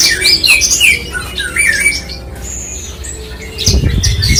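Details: Horsfield's bushlark, parva form, kept as a tutor singer, giving a burst of twisting, squeaky whistles and chirps that fades into softer notes, then a short rumbling noise near the end.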